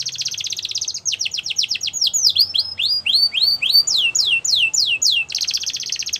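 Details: A canary delivers a powerful training song. It opens with a dense buzzy trill, moves into a long series of clear downward-sweeping whistles about two to three per second, and closes with another buzzy trill.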